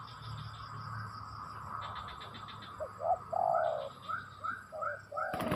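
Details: Spotted dove cooing in the second half: short coos, then a longer mellow note and a string of brief soft coos. There is pulsed chirping in the background and a sharp knock at the end.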